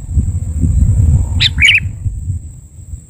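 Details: Lure call of a sooty-headed bulbul for trapping: a single brisk pair of bubbly notes, the second a warbling double, set against heavy low rumbling noise and a steady high-pitched whine.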